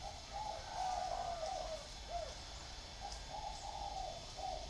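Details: Spotted doves kept in a round bamboo cage and an iron cage give two mellow cooing phrases, each a run of soft, slightly wavering notes, with a steady hiss beneath.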